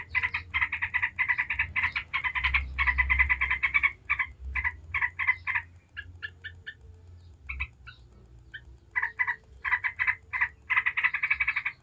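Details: A yellow-vented bulbul sings ngebren to make other bulbuls answer: rapid harsh chatter, then thinning scattered notes with a quiet stretch, before the dense rattling resumes, over a low background rumble.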